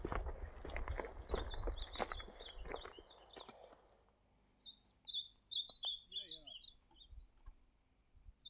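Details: Campeada-style song of an ultramarine grosbeak, recorded 14 December 2025: noisy rustling at first, then a quick run of sweet, sliding whistled notes, followed by quiet.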